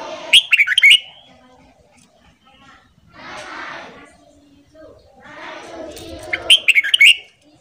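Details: Red-whiskered bulbul morning song used to train and stimulate newly caught birds: two short, bright, warbled phrases, one at the start and one near the end, separated by a stretch of murmuring chatter like voices.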